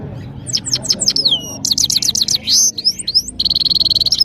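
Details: European goldfinch, the saira of Parachinar, in full powerful song: tumbling high twitters and slurred whistles, a brief buzzy note, more liquid phrases, then a fast, even, buzzing trill to finish.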